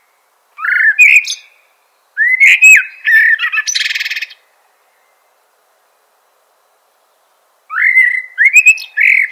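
A blackbird gives short bursts of rising, whistled notes, with one harsh buzzy rattle between phrases.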